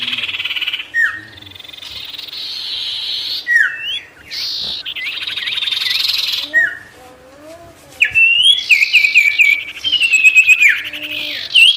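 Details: Lively sirtu song in full natural variation, used to anger wild birds into approaching. Varied whistles and slurred notes come in bursts, with a loud, fast warbling stretch toward the end.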